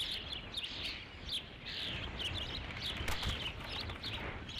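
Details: Osprey at its nest at Dunrovin Ranch on 3 July 2016, around 20:39, at the fifth fish delivery. Series of high, sharp chirping whistles repeated about every half second over steady background noise.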